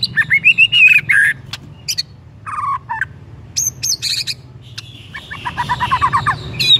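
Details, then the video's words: White-rumped shama song played to provoke another shama into full song: a rich mix of whistled phrases, rapid chattering bursts and buzzy notes in quick succession over a faint low hum. "EFEKTIF BIKIN MURAI JADI AGCOR DALAM HITUNGAN DETIK DENGAN PANCINGAN INI"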